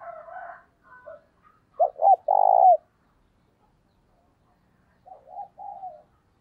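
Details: Caged decoy spotted dove cooing to draw other doves. Soft introductory coos build to two quick clipped notes and a strong, prolonged coo. About three seconds later, two gentler wavering coos follow in a quiet setting.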